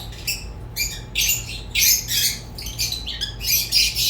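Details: Rosy-faced and Fischer's lovebirds making a string of short, harsh, metallic squawks roughly every half second, some with rising whistled edges. A low electrical hum runs underneath.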